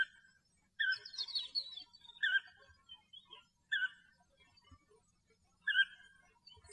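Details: European bee-eater singing in natural habitat in Greece, giving rolling, liquid 'prruip' notes in short bursts about every one and a half to two seconds, with softer chirps between.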